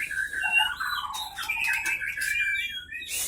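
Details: Caged white-rumped shama from Pining, Leuser, Gayo Lues regency, Aceh, Indonesia, caught 2012-2015, fighting in its cage; bright whistled and warbled phrases around mid pitch, a sharp burst of clicks near the end, low hum beneath.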